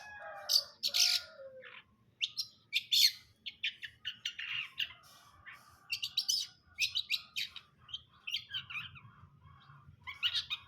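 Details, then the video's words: Long-tailed shrike in brundol-style song: a fast, varied run of harsh chattering notes, scratchy bursts and short high chirps, delivered almost without pause, opening with a few lower whistled slurs. "KICAUAN CENDET BRUNDOL"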